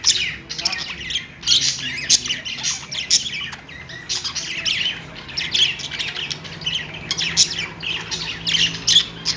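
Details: Several pet budgerigars chirping happily, a dense chatter of warbled, squeaky notes and short sharp squawks overlapping without pause, with a faint low hum behind.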